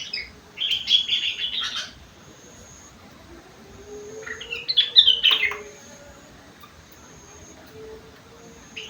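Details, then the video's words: Kutilang song carrying rengganis and cucak wilis isian: a dense buzzy warbled phrase, several seconds of near silence, then a second jumbled phrase of quick sharp notes, with a faint low drawn-out tone between. "burung kutilang isian rengganis / cucak wilis"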